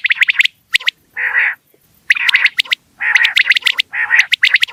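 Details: Quail alternating rapid clicking chatter with thick, buzzy rasping notes in repeated bursts. The background is quiet.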